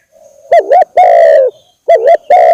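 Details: Spotted dove calling on a lure recording meant to draw in birds: a dipping two-part coo, a half-second steady coo, a pause, then the dipping pair again leading into another long coo.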